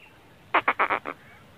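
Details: Black francolin, known locally as kala teetar, giving a short burst of five harsh, grating notes in quick succession, lasting about half a second, over quiet background.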